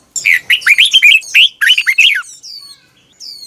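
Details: Red-whiskered bulbul morning training song, 2021: one continuous two-second run of quick, slurred, chattering whistles, then a few thin high descending notes trailing off.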